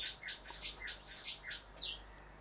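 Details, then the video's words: Rufous Whistler, a male at a house window admiring his own reflection, gives about seven bright, quick two-part whistled notes in steady succession, each dropping in pitch, ending on a higher slurred note, with a quiet background. "The Rufous Whistler"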